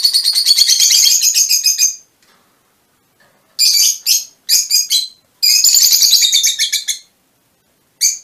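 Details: Mutation Fischer's lovebirds chatter in loud bursts of harsh, rapid, squeaky notes, each lasting one to two seconds, separated by brief silences, then one last short chirp.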